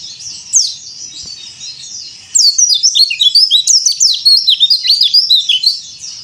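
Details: White-eye of the yellow-breasted Bali type (dakbal) singing cor dor style for young birds to learn from. A lone chirp, a soft hiss, then from about 2.3 seconds an unbroken rush of shrill, tumbling twitters and zigzag whistled notes.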